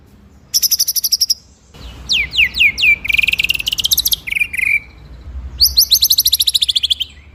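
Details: Ngeroll nembak master song of the white-rumped shama (murai), recorded for training other birds: a high rattling trill, then a run of rising swept whistles, a dense buzzy roll, a lower warble and a final long rapid trill.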